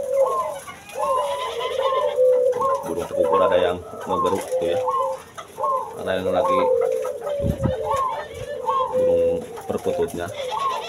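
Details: Spotted dove, one of many kept breeding pairs in a small aviary in Bekasi, West Java, coos in soft, hollow notes about twice a second on a windy late afternoon; a man talks throughout and other doves call nearby.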